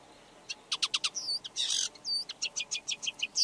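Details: Red-backed shrike giving a series of sharp, evenly spaced clicking notes broken by a harsh rasping burst and a couple of short whistled slurs.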